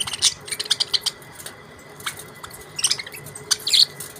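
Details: Budgerigars chirping: scattered short, high, sharp chirps in small bursts with pauses between them, over a faint steady background hum.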